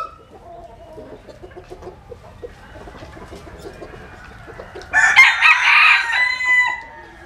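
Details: Rooster sunbathing in Vietnam's Mekong Delta region, crowing once: after five seconds of faint scratchy clucking, a loud, harsh, ragged crow bursts in and rings for about two seconds before trailing off.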